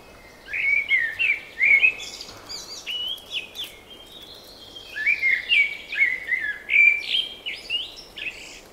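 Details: Spring birdsong: repeated bursts of warbling, looping whistles separated by brief quieter gaps, with scattered high chirps and a faint airy background.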